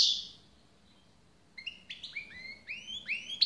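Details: European goldfinch song after a quiet opening: from midway, a quick run of high, bright twittering notes, some rising and some falling, bunched into short jangling phrases.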